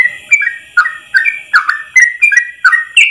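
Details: Yellow-vented bulbul singing a long ropel phrase in one breath, a recording meant for tutoring trucuk songbirds; bright, bubbly whistled notes slurring down and up, delivered about three per second with short gaps between them.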